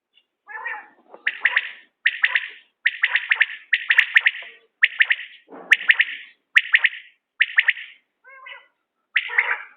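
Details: Common quail calling in a context linked to quail hunting: bright three-note bursts repeated roughly once a second, each a quick triple pulse, with a few lower, harmonic-rich calls from another source mixed in.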